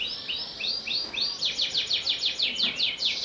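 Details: Panda canary song, a series of quick rising-then-falling whistled notes that speeds into a rapid rolling trill of repeated bright notes.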